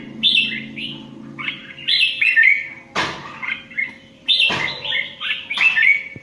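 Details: Competition singing from an Indian red-whiskered bulbul, with lively, slurred whistled phrases of a few notes each, separated by brief pauses. Two sharp knocks interrupt, and a faint low hum runs underneath.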